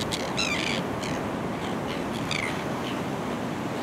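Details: Kelp gulls on the rocky shore of Boat Harbour Aquatic Reserve, Kurnell, NSW, Australia, in early September 2020 give harsh, nasal squawks in short bursts, a few notes over four seconds, against steady surf- or wind-like rumble.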